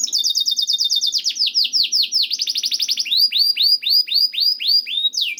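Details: Song of a canary meant to coax other canaries to sing: a quick rattling trill gives way to a steady series of slurred, downward-sweeping notes, several each second, delivered loud and continuous.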